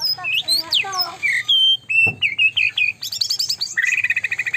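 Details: White-rumped shama in full, nonstop song that provokes rivals: varied whistled slurs and rising sweeps, then sharp chattering notes and a fast rattling trill near the end, with a faint low hum underneath.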